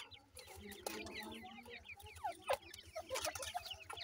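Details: Francolin (teetar) chicks calling together: a dense chorus of short, high, downward-slurred peeps repeated rapidly, with a few louder chirps near the end and low background rumble.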